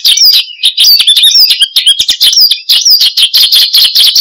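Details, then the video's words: Australasian bushlark, locally branjangan, in energetic 'gacor' song meant for luring and training cage birds; a continuous stream of fast, shrill chirps and quick down-slurred whistles. "Kicau Burung BRANJANGAN Gacor, Untuk Pancingan Dan Masteran"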